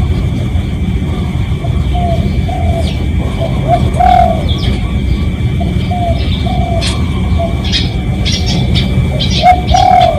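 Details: Decoy sound of a spotted dove, recorded for real to draw in other doves: gentle low coos in short series across the stretch, with scattered thin chirps of other birds and a constant low background hum.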